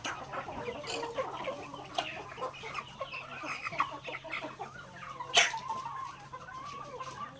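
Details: Several healthy native chickens in a backyard flock peck grains during their daily feeding, giving a busy mix of quiet clucks and short calls, with one sharper, louder squawk standing out near the end.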